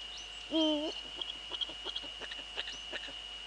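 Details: One low, half-second hoot from a male Eurasian eagle-owl, Netherlands, early evening of 6 February 2013. Soft clicks follow it, and a thin steady whine runs in the background.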